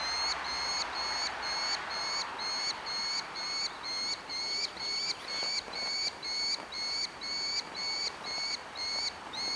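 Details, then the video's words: Fledgling Merlin begging for food, orphaned, Engerdal, Norway, 4 July 2011: a long, regular run of short, level whining calls, about two per second, over a faint hiss. "dvergfalkunge tigger etter mat"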